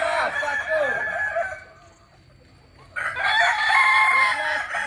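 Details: Kokok Balenggek chickens of Solok, West Sumatra, crow in two bursts of layered wavering notes, separated by a brief quiet pause of about a second.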